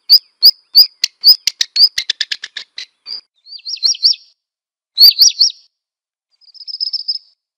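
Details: Black redstart song: several high chirps speed up into a fast stuttering rattle, then short, high warbled phrases separated by brief pauses; no background sounds.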